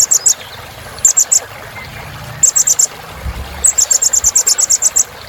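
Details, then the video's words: Kolibri Ninja sunbird filler song: short clusters of very high ticking notes, then a longer steady run of rapid repeated ticks. "Suara Kolibri Ninja Isian Mewah"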